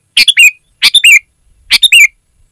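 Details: Sooty-headed bulbul, clear and loud: three bubbly phrases, each a burst, a brief note and a downward-slurred whistle, spaced under a second apart.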